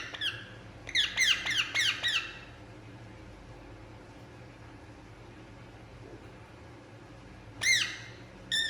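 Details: Indian ringneck parakeet while relaxing, giving a quick run of harsh, downward-sweeping squawks early on, then a long quiet gap before two more screeches near the end.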